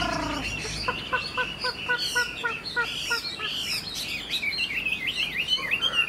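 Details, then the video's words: Freshly caught Chinese hwamei of this year: a quick run of dry ticking notes, then fluty, warbled whistles building into a lively, varied phrase. "Họa mi chuyền năm nay, cực kỳ tố chất, vẩy đuôi khướu, hót tốt"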